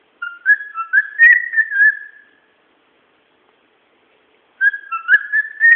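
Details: Pet bird whistling away, giving a warbling run of clear whistled notes that step up and slide before trailing off, then, after about two silent seconds, a similar whistled phrase begins; otherwise quiet.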